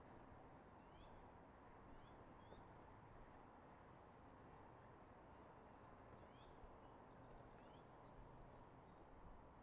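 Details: Eagle on the nest in Redding, recorded by a nest camera on 24 March 2022 at 06:34, uttering short, high, stuttering chirp series in five bursts, half-masked by a continuous low rushing background.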